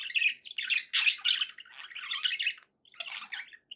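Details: Pet budgerigars indoors give loud, scratchy chattering phrases of squawks and chirps, pausing briefly before a final burst.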